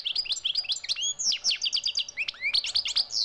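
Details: European goldfinch singing in the wild: a fast, continuous twittering of bright, tinkling chirps and short rising and falling notes, densely packed with almost no pauses.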